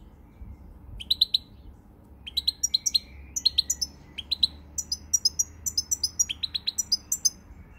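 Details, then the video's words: European goldfinch song recorded on 20 March 2020: bright, tinkling twittered phrases of rapid high chirps and short buzzy trills, delivered in quick bursts with brief pauses, over a faint low hum. "Pirlitan Chardonneret, El jilguero, bird, cardellino pezzato GOLDFINCH SONG"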